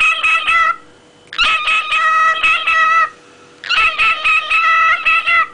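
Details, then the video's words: Cockatiel kept as a pet sings in long loud bursts of rapid, nasal, harmonic-rich whistled notes, each run about one to two seconds, with a steady hum beneath. "СМЕШНО ПОЕТ ПОПУГАЙ КОРЕЛЛА RIDICULOUSLY KORELL'S PARROT SINGS"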